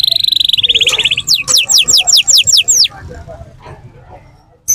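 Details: Canary singing at the Quetta Sunday Bird Market: a fast buzzy trill, then a loud series of sharp descending whistled notes about six a second, ending abruptly with faint market murmur after.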